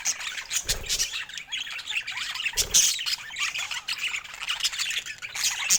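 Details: Colorful pet budgerigars chattering in dense, high squeaky warbles and chirps, with a few low thumps and bursts of handling noise.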